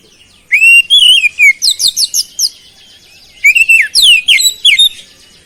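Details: Oriental magpie-robin singing energetically, its song filled with flowerpecker-like imitations: a rising whistled note, then a quick run of high, sharp, downslurred chirps, a short pause, and another burst of bright twittering phrases.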